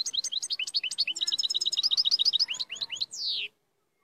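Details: Powerful European goldfinch song: a rapid, unbroken stream of high tinkling twitters and chirps, several per second, closing with a long, descending slurred whistle.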